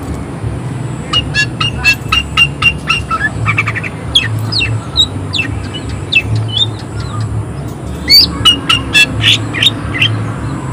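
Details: Greater green leafbird singing vigorously with high excitement and harsh bursts of notes: dense, rapid run of sharp chirps and short whistles, some falling, with a steady high ringing tone and low rumble behind.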